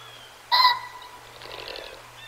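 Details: A male ring-necked pheasant foraging and displaying in January at the Decorah North eagle cam gives one loud, harsh, ringing call of about a quarter second, followed by a softer rustle, over a steady low hum.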